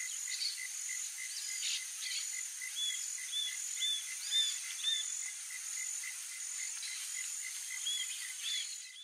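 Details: Young roadside hawk asking its parents for food, giving a run of short, high, slurred whistles in the middle and another near the end, set against continuous rhythmic cricket-like pulses and a shrill insect hum.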